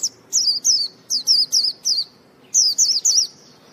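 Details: Short bursts of sharp, high-pitched, wavering chirps from a purebred white-eye, about a dozen notes in quick clusters with brief gaps, loud and clear with no other sounds.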